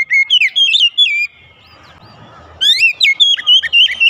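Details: Song of an Oriental magpie-robin, meant to coax a quiet caged bird into singing: rich whistled phrases with looping slurs and quick up-sweeping notes, a pause of about a second, then a fast and varied run of whistles.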